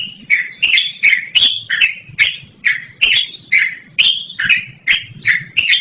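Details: Rolling yellow-vented bulbul song, described as loud and melodious for luring or bird training, made of quick chattering doublets and triplets of raspy notes in a steady, pulsing run.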